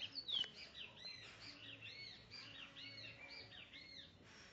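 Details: Trinidad bullfinch at Barrackpore delivering a continuous run of high, clear, arching whistled notes in quick succession, rising and falling steadily across the recording, with a low steady hum underneath.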